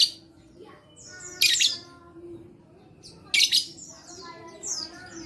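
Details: Song of a lovebird, offered as a lure for lovebirds that won't sing: two loud, rasping squawk bursts about two seconds apart, each trailed by buzzy, stepped twittering and softer squeaks.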